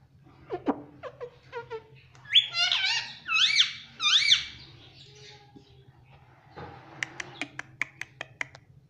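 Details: Pet Indian ringneck parakeet said to say "Mummy Papa", heard indoors: a few short rising notes, then three loud harsh rasping phrases in a row, and finally a string of sharp clicks near the end.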